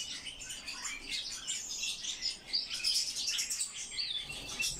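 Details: Continuous bright twittering warble from a Eurasian blackcap, rapid jumbled high notes with a few sharp whistled accents, steady in loudness throughout.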